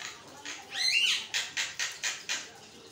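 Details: Javan myna (jalak kebo) in continuous song meant for training other mynas; one rising buzzy squawk followed by a run of five short rasping notes at steady intervals.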